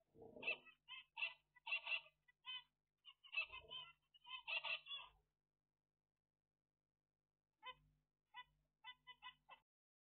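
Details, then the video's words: Zebra finches recorded on 17 April 2022 give rapid strings of short nasal, buzzy notes in dense bursts, then a pause of about two seconds before a sparser run of chirps. "طيور الزيبرا"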